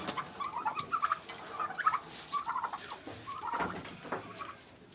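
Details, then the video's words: Farm turkeys in Pakistan during a fight, a rapid series of rattling, rippling gobbles and chattering notes over about two seconds, then scattered sharper yelps and scuffles. "Turkey vs Turkey at my Farm||Turkey Fight||Fight at Farm"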